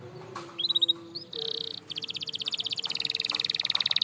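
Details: Canary song to stimulate silent canaries: a few short high notes, a buzzy held tone, then a long fast rattling trill of evenly repeated high notes, a faint low tone underneath.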